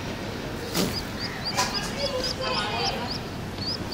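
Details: Hungry baby pigeon pestering its mother for food: thin, high squeaky peeps repeated rapidly in a steady series, each short and slightly rising, over a faint hiss with a few louder clicks and thuds.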